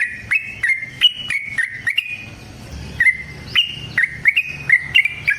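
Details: Yellow-vented bulbul, called 'trucuk', singing the long fighting song used as a lure and dawn tutor. Bright, whistled two- and three-note phrases, stepping up and down, recur about once every second with short pauses.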